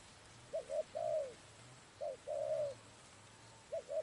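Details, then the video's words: Spotted dove heard while trapping birds, giving low coos in a pattern of two clipped notes followed by a drawn-out slurred note, phrases repeating steadily over a quiet hum. "Bẫy Chim Cu Gáy"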